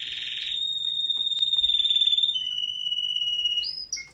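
A Waterslager canary opens with a rough, rapid trill, then holds a long pure whistled tone that steps slightly lower before ending in brief rising notes.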